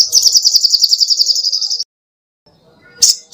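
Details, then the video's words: Little spiderhunter (sogoh ontong) in lively song, recorded as tutor material for caged songbirds: a fast, even trill of sharp high chips lasting almost two seconds, a short silence, then two brief high bursts. "SUARA BURUNG SOGOH ONTONG GACOR"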